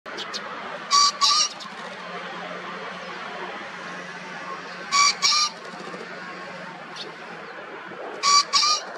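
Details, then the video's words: Male green (Japanese) pheasant wing-drumming in the morning, 19 April 2024, Yanagishima coast, Chigasaki, Kanagawa, Japan: three harsh, loud double-noted crows with wing-drumming, about four seconds apart, over a low steady hum. "Japanese Pheasant (male) - Drumming in the morning"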